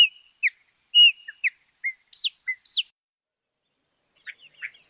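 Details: Chalk-browed mockingbird giving well-spaced phrases: a clear whistle, short slurred notes and hooked upward-sweeping calls, a pause, then a soft cluster of chips.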